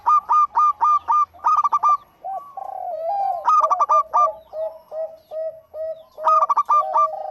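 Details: Local zebra dove in full song: clusters of sharp, stuttering notes alternate with low, rolling coos, the pattern repeating three times in quick succession.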